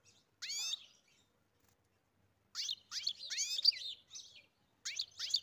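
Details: European goldfinch singing: a bright, descending twittered phrase, a pause of nearly two seconds, then a run of high tinkling, liquid notes with short breaks, ending in clipped chirps.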